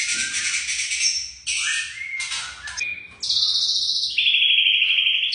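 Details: Young white-rumped shama singing: a run of varied phrases, first rich and warbling between mid and very high pitch, then long sustained high whistled notes held for about a second each, with no other sounds clear.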